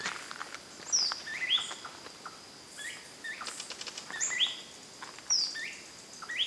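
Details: A blue-backed manakin (Chiroxiphia pareola) gives sharp, high slurred whistles and chips, scattered every second or so, over soft pattering and a steady insect hum.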